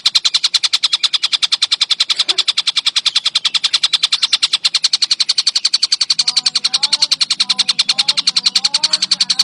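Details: Collared kingfisher calling in a relentless, even series of coarse, buzzy kek notes, about three to four each second; from the midpoint, thin whistled notes of other birds rise faintly behind it.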